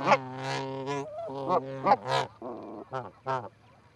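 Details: At the Charlo, Montana osprey nest camera on 4-7-18, two visiting Canada geese call with drawn-out nasal honks, some bending upward, followed by a few shorter clipped notes.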